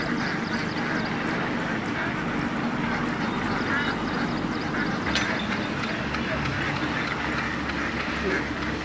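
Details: Hundreds of Indian ducks feeding in water, a dense continuous chorus of overlapping quacks and chatter filling the scene, with a low steady rumble underneath.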